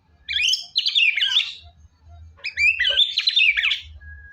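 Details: Energetic white-rumped shama song, meant to rouse an unwilling singer: two tumbling phrases of fast, intricate warbled and whistled notes, each over a second long, the second followed by a short steady tone.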